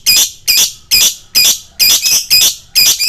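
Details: Lovebird lure recording for fighter birds: loud, harsh, broad-band screeching notes repeated steadily about twice a second, each note rough and shrill.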